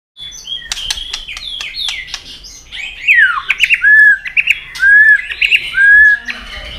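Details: White-rumped shama in fighting song, flicking its tail with clicks to provoke a rival: sharp clicks open, then loud whistled phrases, each a steep downslur followed by a level whistle, repeated about once a second.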